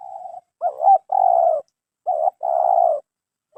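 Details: Spotted dove, a newly caught bird kept for its voice, cooing in phrases: a short, bubbling double note followed by a long, steady, mellow low coo, repeated about every two seconds in quiet surroundings.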